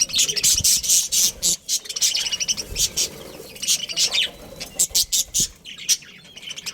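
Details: Budgerigars chirping in rapid, very high, scratchy pulses, grouped in short runs of chatter with brief pauses between them.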